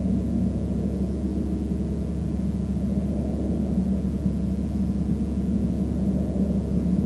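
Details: Loud, steady low rumble like an engine or aircraft fills the whole recording, with no animal calls.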